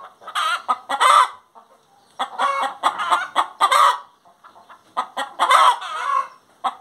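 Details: Hen singing in grouped phrases, each a flurry of clucks rising into a loud raspy squawk, with quiet gaps between phrases.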